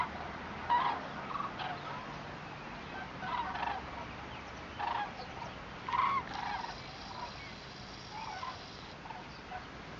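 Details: Migrating common cranes in October 2014 give distant, loud, rolling, trumpeting calls in irregular bursts every second or two, several birds overlapping, over a steady background hiss.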